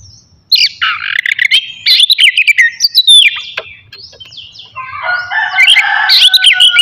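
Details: Oriental magpie-robin singing in a morning session meant to provoke aggression and breeding urge in other magpie-robins; loud varied phrases of whistles, chatters and sliding notes in fast bursts, then a richer warbling passage.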